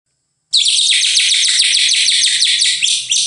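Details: White-rumped shama in loud, continuous song: a dense, rapid stream of high, bright chattering notes, sharply repeated without pause for about three seconds.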